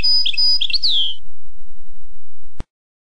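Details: European goldfinch (maknin) song played to tutor young goldfinches: a brief phrase of tinkling notes ending in a clear falling whistle, followed by silence and a single click.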